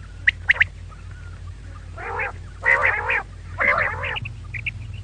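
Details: Female quail calling: a few sharp high clicks, then three nasal, buzzy bursts each about half a second long, separated by short pauses over a low steady hum.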